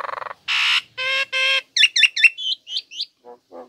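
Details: Female Nias hill myna, a caged bird, giving a varied run of sounds: a rattling buzz, harsh broad squawks, harmonic honks, then clear whistled upslurred notes and low, soft croaks.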